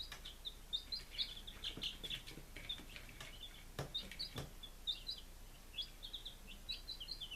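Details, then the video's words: Day-five baby chickens, Lunenburg, Massachusetts, July 23, 2017, peeping busily: clusters of quick, thin, upward-sweeping cheeps that run together, with intermittent sharp knocks and taps in between. "Baby Chickens - Day 05"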